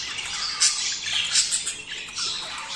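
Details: Budgerigar mating chatter meant to stimulate breeding: busy overlapping high squawks and twittering with no pause, loudest bursts around the first and second marks.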